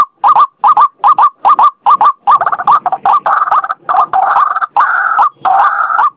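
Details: White-breasted waterhen (ruak-ruak), used for luring, giving quick separate croaks that run together into longer, grating, continuous bursts in the second half.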